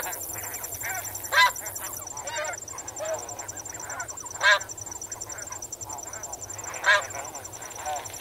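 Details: Flock of snow geese swimming and wading, heard at medium-close range; a busy murmur of honks broken by three louder, sharper calls spaced roughly every two and a half seconds, with crickets trilling steadily behind.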